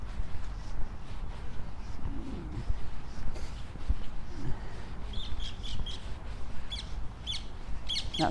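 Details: A distant rose-ringed parakeet gives short, high, squeaky calls in quick bursts over heavy wind rumble, with a man talking, in a lakeside city park in Blackpool on an October afternoon.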